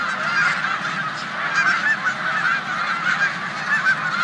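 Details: Resting flock of snow geese in a corn field at Savannah, New York, 14 March 2020, shared with resident Canada geese; dense, pulsing chorus of many high, nasal honks.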